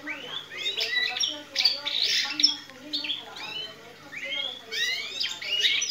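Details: A captive-bred canary (Serinus canaria) sings goldfinch-style mimicked song: quick twittering runs, rising sweeps and bright high trills in bursts, with a lower buzzy undertone.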